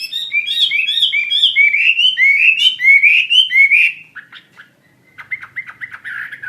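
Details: Hwamei (wambi mandarin bird) singing actively delivers loud repeated rising whistled phrases for four seconds, then falls quieter with scattered short chirps.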